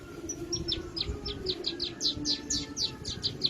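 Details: Javan bush lark giving a brisk string of high, clipped whistled notes, each short and slightly descending, about four per second, against soft steady background noise.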